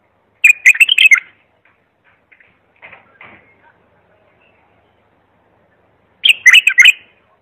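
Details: Clear bulbul song meant for teaching young bulbuls: a quick warbled phrase of several fluty notes, then faint scattered chirps, then a second matching phrase about six seconds later.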